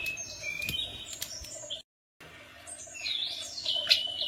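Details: Tledekan gunung singing as a lure for other birds to answer: high whistled notes and thin sliding phrases, broken by a brief silence, then rising and falling whistles over steady background hiss and hum.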